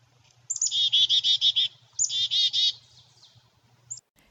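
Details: Black-capped Chickadee at Natural Tunnel State Park singing its own name, chick-a-dee-dee-dee, twice. Each is a thin high opening note, then a rapid run of about six buzzy dee notes, over a faint low hum.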